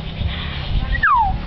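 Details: Talking common hill myna, able to copy a man's, a woman's and a boy's voice, gives one loud whistle that slides steeply downward, after muffled human talk.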